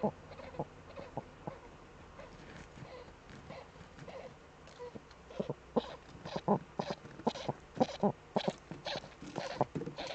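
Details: Eurasian eagle-owl in a breeding niche, filmed by a nest webcam on 28 February 2013, cackling and scratching: soft irregular clicks and rustles at first, then clusters of short hoarse cackling notes grow denser and louder toward the end.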